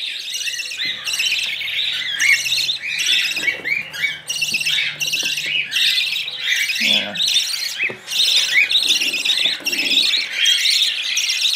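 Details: Budgerigar chicks fed with a small spoon produce a steady run of rasping begging squawks, pulsed roughly every half second and very regular, over nearly twelve seconds; a few soft handling sounds underneath.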